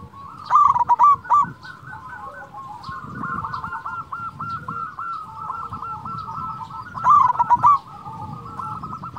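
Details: Zebra Dove of local stock, an active singer with a loud sweet voice, meant to stir reluctant doves: two loud bursts of quick, stuttering coo notes framing a steady run of softer cooing from several other doves.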